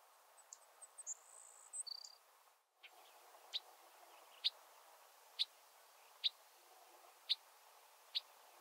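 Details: Bobolinks on Heaven Hill, Essex County, New York, grassland, 15 June 2022, after territories were settled and singing had declined; chunk calls, mostly from females at this stage. Faint, sharp single notes about once a second, preceded by a brief buzzy burst.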